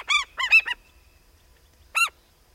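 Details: African skimmer, the year's first hatched chick, giving four quick, nasal, honking yelps in a tight cluster, then a single matching yelp after a second of quiet.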